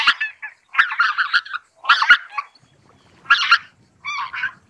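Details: Greater white-fronted geese give rough, gabbling bursts of overlapping nasal notes, broken by short pauses. A cleaner, higher honk closes the sequence.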